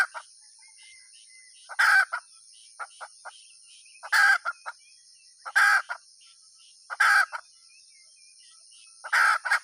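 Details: Hen cackling: loud grating squawks recur roughly every one and a half seconds, with short clucks between them and a faint whistled note near the start, over a steady high hum.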